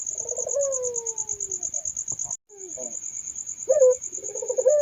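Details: Puter dove with a gliding, descending coo, then broken, rougher coo phrases after a brief pause, against a continuous high whining drone.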